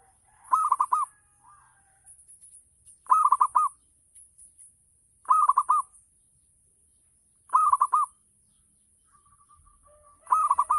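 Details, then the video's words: Local zebra dove singing in full ngayer style to lure other doves into answering: five compact phrases of quick, rolling coos, repeated roughly every two and a half seconds, with faint distant cooing between them. "Gacor Perkutut Lokal || Pancingan Full Ngayer Perangsang Nyaut Bunyi"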